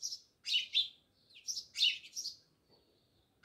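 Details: House sparrows near a village house in Jamnagar, India, give short bright chirps in small clusters, each burst broad and high, separated by brief pauses across a few seconds.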